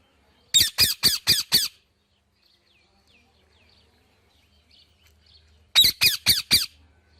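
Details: Parrot calling in two series of four to five harsh, rasping squawks each, separated by several seconds of faint soft chatter.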